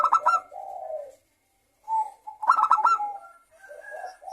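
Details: Repeated zebra dove song meant to prompt caged doves to sing. A rapid burst of clipped notes fades into low coos, and after a short silence a second, longer staccato phrase follows.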